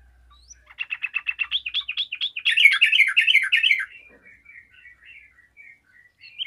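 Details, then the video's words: Yellow-vented bulbul calling out and drawing replies from other bulbuls: rapid repeated chirps build into an intense, chattering jumble of whistled notes, then soft scattered twitters trail off. "TRUCUKAN GACOR AMPUH LANGSUNG DIRESPON TRUCUKAN LAIN"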